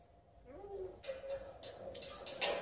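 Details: A red-tailed grey parrot speaks a few short Spanish words with rising and falling tones, followed by sharp clicks and rustling noises in a small room.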